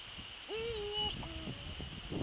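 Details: Eagle-owl calling while visiting the nest, evening of 27 December 2013: a level tonal note of about half a second with clear overtones, then a lower, softer steady tone, with scraping sounds and a continuous high hum.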